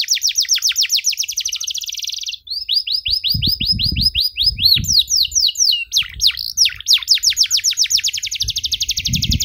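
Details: Vigorous 'gacor' canary song in ornate 'cengkok mewah' style, a tutor song for young canaries: long rolls of rapid high repeated notes, switching to falling swept syllables, with low thumping noises in the background midway.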